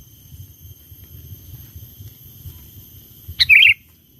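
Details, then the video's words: Sooty-headed bulbul singing vigorously, a recording used to lure wild bulbuls: one short burst of three or four quick, bright notes that drop in pitch, near the end after quiet, with a low background rumble. "Pikat Burung Kutilang Gacor Memanggil Kutilang Liar"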